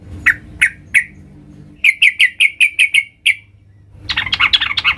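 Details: Sooty-headed bulbul female calling to the male: three separate bright chirps, then a quick run of seven clipped, evenly spaced notes, one more note, and a burst of dense, scratchy chattering at the end.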